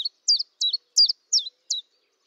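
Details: Common chiffchaff singing at a kitchen window in Eibar in early March 2018. Six quick, high notes alternate slightly in pitch in a steady chiff-chaff rhythm over two seconds, clear against silence.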